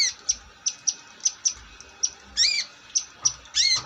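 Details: Long-tailed shrike giving short, high ticking notes about every quarter second, broken twice by louder, ringing, downslurred calls.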